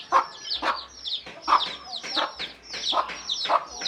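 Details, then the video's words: A hen calling her chicks to come and eat gives short, clucking "kuk-kuk" notes in loose bursts, roughly three or four every few seconds. "เสียงแม่ไก่ดังกุกๆเรียกลุกมากินเหยือ/Tiếng gà mái"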